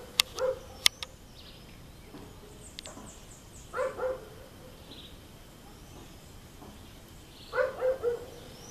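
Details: Red-breasted toucan visiting a rufous hornero's nest in a garden gives hoarse, croaking notes in short bursts of one to three, spaced several seconds apart, with faint high bird chirps and a couple of sharp clicks in between.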